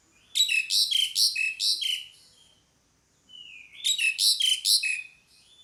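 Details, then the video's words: Calls of a pied myna, delivered as two rapid bursts of grating notes and descending whistles, each about one and a half seconds long, with a pause between them. "SUARA PANGGILAN JALAK SUREN"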